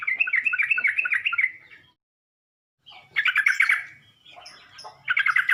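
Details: Lure sound of a sooty-headed bulbul, meant to draw a reaction from other bulbuls: a fast, harsh chattering run, a silent gap, then two shorter bursts of the same rattling, buzzy notes.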